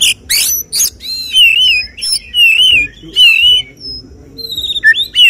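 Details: Oriental magpie-robin performing 'tembakan' song at a songbird contest: loud rasping bursts followed by repeated wavering whistled phrases, each rising then falling, spaced about a second apart.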